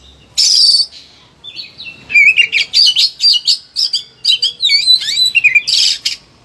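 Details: Agitated caged Oriental magpie-robin in a highly excited singing bout, used to prompt lazy birds to sing: a harsh high burst, then rapid varied whistles, slurs and chattering notes tumbling high, ending with another rasping burst.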